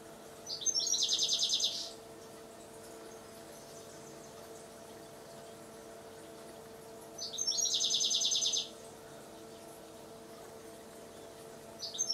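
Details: European goldfinch song from a garden in the UK, given as two separate bursts of rapid, liquid twittering and tinkling trills about six seconds apart, with a third burst just starting, over a faint steady background hum.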